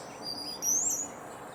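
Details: In the Sierra foothills of California, USA, a hummingbird sings its courtship song from a tree: a thin, high, rising-then-level whistled squeak, loud and clear above faint background hiss.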